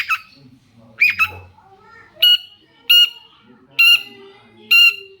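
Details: Loud nasal squawks from a long-tailed shrike, whose song serves to make other shrikes answer: a quick pair, then four spaced about a second apart.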